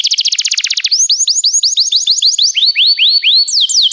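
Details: Canary singing in a recording meant to train canaries: a very fast buzzy trill, then slower rising swept notes repeated about four times a second, ending in a different quick tour.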